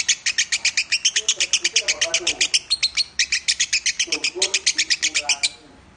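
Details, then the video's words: Lovebird in the Minor-voice style, a training recording. A fast run of harsh, scratchy chirps repeats about four per second, then stops near the end. Soft voices murmur behind it. "Masteran burung lovebird suara Minor"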